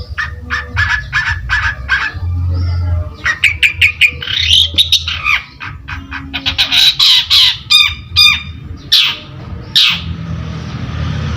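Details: Long-tailed shrike singing as a lure for other birds: a varied sequence of quick repeated chirps and clicks, squeaky warbled phrases and rasping notes, ending with two harsh screeches, over faint low rumble.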